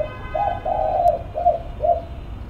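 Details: Spotted dove cooing: a short series of four low, soft hooting notes, the second one drawn out longer, with faint background hum.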